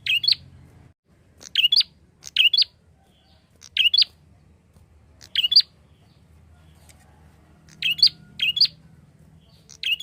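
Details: Prinia calling energetically as a lure for flock-kept birds: repeated pairs of sharp chirps, each a buzzy note and a higher piercing squeak, recurring every one to two seconds across the recording, faint background hum.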